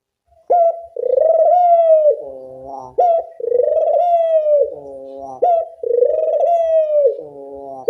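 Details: Loud, clear puter dove call as a training lure: after a brief silence, long sustained coos alternate with lower, layered falling notes in a steady three-part rhythm.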